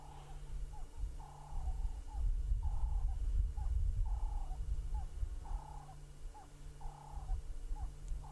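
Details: Ring-necked (Cape turtle) dove repeats short, rhythmic cooing phrases about every second and a half over a steady low engine rumble, at sunset on July 12, 2017, at Djuma Game Reserve.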